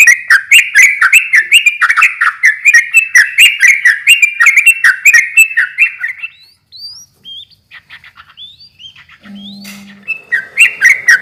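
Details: Energetic sooty-headed bulbul song, played to draw other bulbuls into answering. Six seconds of dense, bubbly chattering notes, then sparse thin whistles and a low hum, before the chatter resumes.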